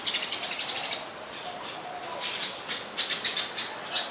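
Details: Olive-backed sunbird, also called yellow-bellied sunbird, at a home garden: sharp, high chirps in a quick run at the start, a quieter patch of soft notes, then another burst of thin chirps roughly five per second near the end.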